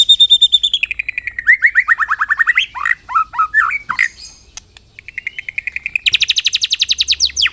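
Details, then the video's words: White-rumped shama singing loudly: a varied, rich phrase of repeated rapid notes, downward-sweeping whistled slurs, a brief pause, then a fast high trilled burst of repeated notes. "LANGSUNG CEPAT NYAMBER TAK TAHAN DIAM MURAI MENDENGAR PANCINGAN INI"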